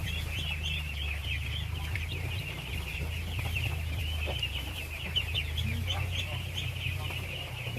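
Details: A huge crowd of baby ducks at feeding time: steady, shrill massed peeping, countless overlapping chirps forming one shimmering band, with a deep droning hum underneath throughout.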